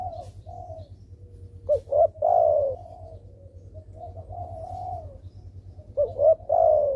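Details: Spotted dove call used as a lure to prompt silent doves to respond: repeated cooing phrases, each a pair of short coos and a longer falling note, separated by quieter murmured coos over a steady low hum.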